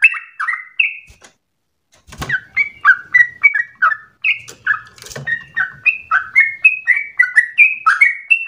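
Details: Sooty-headed bulbul singing eagerly, for prompting and training other birds. Quick whistled phrases of rising and falling notes, broken by a short silence and a couple of sharp knocks, then a fast chattering run.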